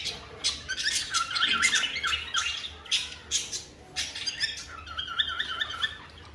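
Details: Cockatiel pair in breeding mood making mating calls; bursts of harsh squawks mixed with wavering, rolling warbled notes repeated in runs, several birds calling together.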